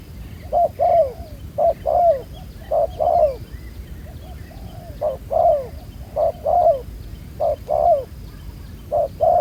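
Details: Repeated soft double coos from a wild black-collared spotted dove kept for ground decoy trapping, brief then longer and falling, given in steady series with a short pause midway, faint chirps overhead.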